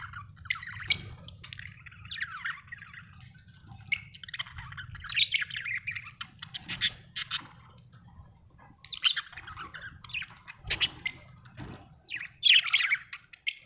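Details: Australian budgie giving long, uneven chirping chatter: scattered scratchy squawks, clicks and warbled twitters in irregular bursts, busier toward the end, with a quiet low hum throughout.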